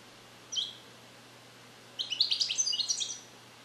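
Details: Song-trained captive European goldfinch hatched in 2021, repeating Neapolitan passages incompletely; one lone chirp, then after a pause a rapid burst of bright, jangling twitters.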